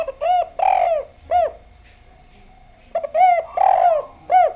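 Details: Spotted dove (derkuku, tekukur), a lively-singing bird whose recording is played as a lure to make other doves answer. Two phrases of deep, arched cooing notes with a longer rolling middle coo, separated by a quiet pause, over a faint steady hum.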